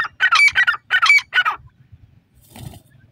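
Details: Grey francolin calling loudly in a fast run of four harsh, ringing notes in quick pairs, followed by a pause and a fainter rustle.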